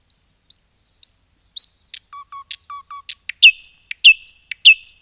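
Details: A nightingale in forest sings soft high upslurred notes, then a string of lower paired whistles with sharp clicks, building into loud ringing repeated notes about every half second.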